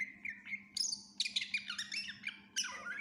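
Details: Energetic full song of a greater green leafbird, rich in fill-in phrases meant as a tutor recording: a short whistled opening, then dense, rapid, chattering and squeaky notes tumbling together, with a constant low hum underneath.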